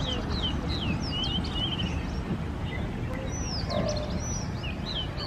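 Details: Oriental magpie-robin singing in spring, varied sweet whistles with quick swooping and rising phrases tumbling one after another over a steady low rumble of background noise.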